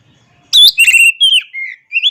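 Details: Oriental magpie-robin giving a short, loud sequence: sharp high notes followed by clear whistled phrases, ending with a falling slur and a rising whistle, all within about one and a half seconds.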